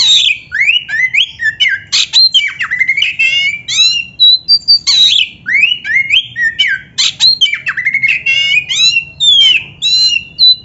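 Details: Oriental magpie-robin (kacer) used as a training master song for young, lazy or quiet birds; loud, fast varied song of rich whistles, sweeping slurs and harsh notes packed in rapid bursts, with low background hum.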